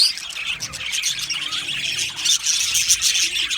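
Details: Male budgies chattering in an aviary colony, 8 December 2025: a busy stream of high, quick chirps and short warbled notes from many birds, loud and unbroken.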